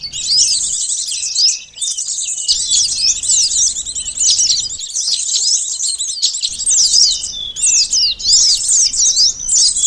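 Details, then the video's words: Lure recording of a sunbird (local names konin, sogon, korlap) used for bird catching: shrill, fast twittering phrases of squeaky slurred notes, sustained almost throughout with brief dips in loudness. "suara pikat burung konin sogon korlap kolibri madu || pancingan suara burung madu"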